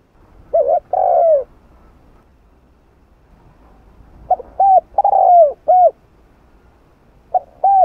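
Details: Spotted dove giving the 'hạp bổi' style coo used to stimulate other caged doves: three low hollow phrases, each a short note, a longer downslurred coo and an arched closing note, separated by pauses, quiet room background.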